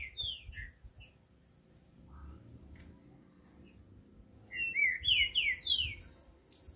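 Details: Singing green-winged saltators: a few scattered high chirps, then a quiet stretch over low hum. A sudden burst of bright, rapidly descending slurred whistles and chirps closes the passage.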